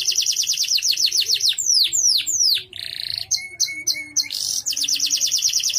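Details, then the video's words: Melodious gacor canary, its song called good for contests and for tutoring other birds: a fast steady trill, downward sweeps, a buzzy note, clipped chirps, then another rapid trill. "KENARI GACOR"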